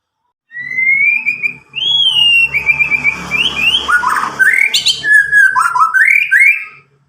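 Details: Young untutored white-rumped shama from Medan, about nine months old, gives sliding whistled notes and rising slurs over a low background hum and faint clatter, song loud and clear.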